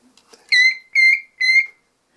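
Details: Pet cockatiel indoors, February 2019, responding to a child's toy phone: three clear, sustained whistled notes, each about a quarter second long and evenly spaced, in a quiet small room.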